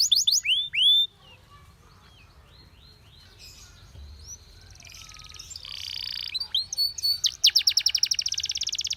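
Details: Canary singing a song used for training other canaries to sing: a few loud descending whistled notes, a quiet pause, then soft trills building into a fast, loud rattling trill of rapid repeated notes.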